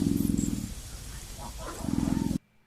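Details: Female emu booming, played back from an online recording: two bursts of low, throbbing, pulsed growl separated by about a second of faint noise, ending abruptly.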